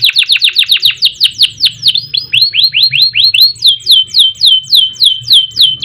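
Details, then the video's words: Canary singing loudly as a master for training birds: an unbroken series of sharp downward-sweeping whistled notes, about four per second, shifting in pitch and shape partway through. "Kenari Gacor Panjang Ngerek Ngerol Nembak Mantap Buat Masteran dan Pancingan | Bird Singing"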